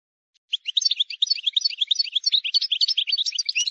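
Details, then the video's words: Uninterrupted fast twittering song of a wild European goldfinch, meant for teaching chicks, a dense stream of bright, jangling chirps and slurred notes lasting about three seconds. "غناء حسون بري خالي من الاخطاء لتسميع الفراخ"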